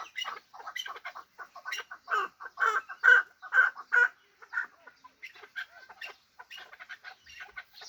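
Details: A hybrid fighting chukar partridge gives a burst of hoarse, clucking notes that build into louder grouped calls mid-way, then trail off into softer, scattered chatter.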